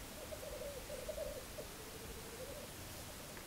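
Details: Low, rolling bubbling from black grouse seen during a weekend spent in a hide, a continuous warbling murmur that rises and falls in short pulses over a hissy background.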